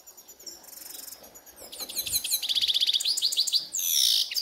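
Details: In a ravine, a grey-headed goldfinch starts quietly, then builds into loud rapid twittering trills and a harsh buzzy ending.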